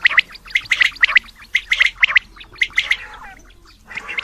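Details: Male Coturnix quail calling: short grouped bursts of harsh, gargling notes, repeated in clusters about once a second, with a quieter, fading stretch near the end.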